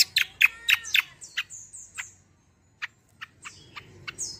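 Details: Kecial kombo singing as a lure for other birds: quick harsh chattering notes, then thin high whistled slurs, a pause, and sparse sharp chirps ending with a rising squeal.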